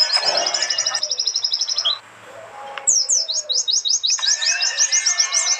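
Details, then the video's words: Contest white-eyes singing at a national event in Trenggalek, East Java, phone-recorded and combined from several birds: rapid high trill, brief lull near two seconds, then a burst of quick downslurred sweeping notes repeated several times per second. "simulasi lomba burung pleci!! untuk melatih mental pleci bahan biar cepet gacor ,terapi pleci macet!"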